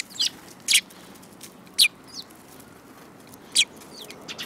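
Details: Several sparrows, March 2018: loud, sharp, high chirps at irregular gaps of about one to two seconds, with fainter chirps between them.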